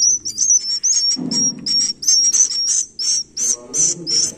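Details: Swiftlet nestlings utter quick, high, whistled chirps and short hissy bursts in an uneven fast series, with a brief low rumble in the background.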